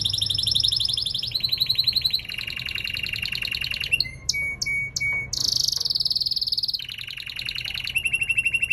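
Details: Male canary in singing training delivers a chain of rapid pulsed trills, each held for about a second then shifting to a new pitch, with a brief stretch of sharp clear whistled notes in the middle over a faint low hum.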